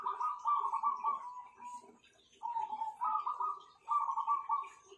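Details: Several kept zebra doves, known as perkutut, deliver vibrant, rapidly pulsed cooing phrases, one long rolling phrase then three shorter ones after a brief pause, with soft ticking sounds and faint high chirps behind.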